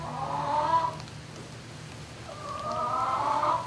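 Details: Turkeys in a barn after dark, dated 11-05-2018, 20:41–21:41: two strong, wavering harmonic calls, one in the first second and another from about 2.3 seconds to the end, separated by a quiet gap, with low hum beneath.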